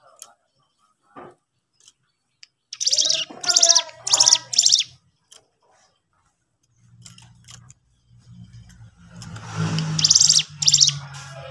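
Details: Sooty-headed bulbul in strong song, played to provoke other birds into singing. Loud, harsh, high bursts come in a quick series of four, then after a pause another run of bursts over a low humming rumble.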